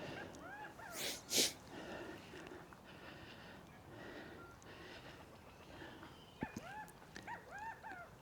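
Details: A quail calls beside a native bush walking track at Lake Mangamahoe near New Plymouth, Taranaki, New Zealand, on a warm day with wedding noise nearby: a few clear, arched whistled notes, each rising then dropping, in a quick series near the end, after an early sharp snort-like burst.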